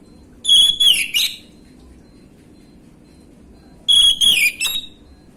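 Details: Orange-headed thrush, a young 'bahan' bird in gamblingan song style, used as a lure to prompt other birds to respond: two loud whistled phrases, each a high sliding note falling into buzzy trills, separated by about three seconds of quiet.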